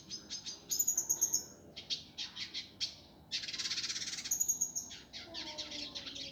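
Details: Indigo flycatcher master song for tutoring birds, in a harsh, rapid, dense style: bursts of high, buzzy, chattering notes, then a sustained rasping trill, with thin, very high whistles laid over parts of it.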